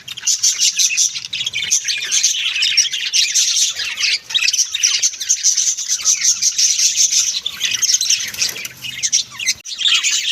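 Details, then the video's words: Budgerigars kept indoors as pets call in a busy group, producing continuous high warbling and squawky chirps that overlap without pause, with occasional harsher screeches breaking through. "Beautiful Bagies sounds video"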